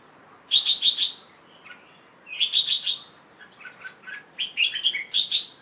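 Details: Young Red-whiskered Bulbul, a pet bird recorded late afternoon on 1 January 2012 after a bath; rapid trilled triplets of bright whistled notes, then varied chirping phrases.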